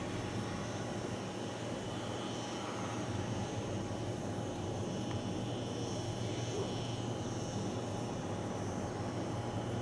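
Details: A steady droning hum like a distant propeller aircraft runs the whole time over broadband hiss, with no clear animal calls.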